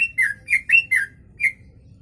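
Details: Yellow-vented bulbul singing a song filled with kutilang phrases, a tutor recording: a quick run of five bubbly, slurred notes within a second, then a lone note after a short pause, over a low background rumble.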